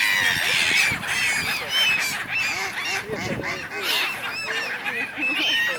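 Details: Many gulls squabbling together in a flock on the Dnipro River in Kyiv, Ukraine, recorded 3 January 2023; dense overlapping chorus of short, arched, harmonic squawks and yelps, constant and loud, with no other clear sounds.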